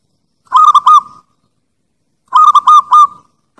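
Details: Zebra dove lure call, Bangkok and Javanese type: two cooing phrases about two seconds apart, each three or four steady notes, the last drawn out, ringing and loud against silence.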